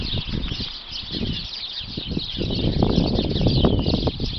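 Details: About twenty sparrows hidden inside a bush chirp nonstop, many bright, short tweets overlapping into a constant chatter, over low rumbling wind or background noise.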